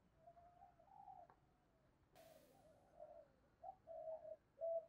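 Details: Soft, low coos from a decoy spotted dove used to lure wild doves, a string of short hollow notes that grows louder toward the end, broken by a click and a brief burst of noise.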